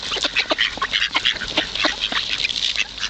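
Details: Quick, nasal duck calls come in a constant jumble as hungry ducks are fed on the Kirchsee lake in Preetz. The short, bright notes come thick and fast, with no human voice.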